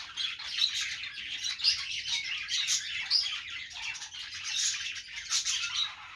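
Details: Chattering budgerigars during play: rapid high twittering and scratchy warbles run on without a break, with a few brighter whistled chirps standing out above the flock's steady babble.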